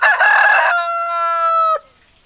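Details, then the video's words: Cock-a-doodle-doo from a rooster: a coarse, loud first section flowing into a long, even, ringing note that drops off sharply near the end, followed by near silence. "Chicken Sounds Noises Hens Clucking Roosters Crowing"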